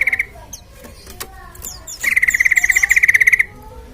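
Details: Sooty-headed bulbul in lively lure song to set other birds singing: a brief pulsed note at the start, scattered chirps, then a long run of some twenty rapid, even notes on one steady pitch for about a second and a half.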